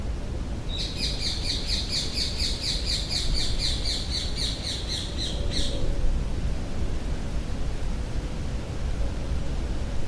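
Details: Loud birds squawking in Hyde Park, London, with heavy wind: a rapid, evenly spaced run of harsh, buzzy notes for about five seconds, then only steady low wind rumble.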